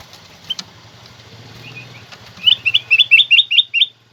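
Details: Black-crested bulbul recorded as a master recording to stimulate pet birds to sing: a run of six loud, clear, rising whistled notes repeated rapidly, each with a quick upward flick, after a few scattered chirps over faint low hum.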